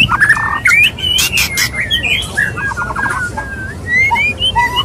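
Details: Courting male white-rumped shama with a female, mating sounds: loud rasping bursts at first, then a stuttering rattle and a string of bright rising whistles repeated toward the close.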